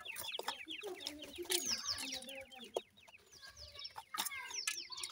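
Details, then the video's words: A crowd of grey francolin chicks gives dense, overlapping high peeps, each a quick downward slur, alongside scattered clicks and rustles. "teetar chicks ki boli,dakhni teetar baby sound"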